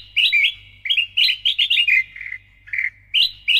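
Sooty-headed bulbul singing loudly: quick bubbly runs of bright, rising-and-falling whistled notes in short bursts with brief pauses, clean with no other sounds.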